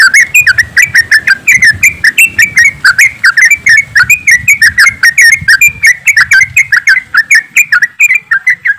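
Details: A crowd of yellow-vented bulbuls in nonstop 'ropelan' chatter, used as a lure for singing birds: dense, overlapping bubbly chirps repeated several times a second throughout, with faint low rumble beneath.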